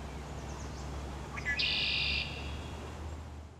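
A red-winged blackbird gives two short rising notes, then a harsh, buzzy trill lasting about half a second, over a steady low hum.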